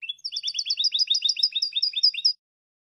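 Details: European goldfinch song used for teaching young goldfinches to sing: a fast, even run of bright, twittering double notes repeated about eight times a second for over two seconds, then silence.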